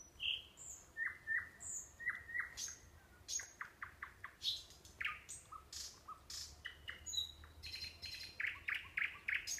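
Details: Nightingale song near a sanatorium in the Kurchatov district, Kursk Oblast, Russia: a long varied sequence of whistles, sharp clicks and fast repeated chirps in changing phrases.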